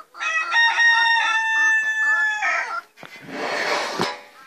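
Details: Rooster separated from the hens, crowing on its daily visit to them: a loud, harmonic, stuttering crow of choppy pulses for about two and a half seconds, followed by a burst of rough broadband noise.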